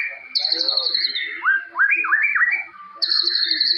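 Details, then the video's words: White-rumped shama of the Medan forest type sings loudly, mixing high sustained whistles with a run of quick rising and falling slurred notes, the high whistle returning at the end. "Murai Batu Gacor Full Nembak Jalilin"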